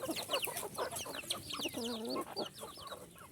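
Several chickens cluck and chatter over one another, with short low clucks mixed with thin, high peeping notes in a busy, continuous jumble.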